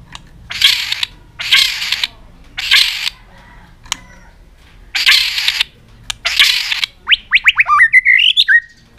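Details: White-rumped shama giving its aggressive tail-flicking display to stimulate other birds: five loud harsh rasping bursts about a second each, separated by pauses, ending with a rapid series of rising slurred whistles.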